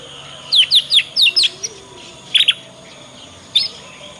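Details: Young Yorkshire canary learning its ngriwik sound, used as a lure to get other canaries singing. A quick run of five downward-sweeping high chirps, then a short double chirp and a single note after a pause.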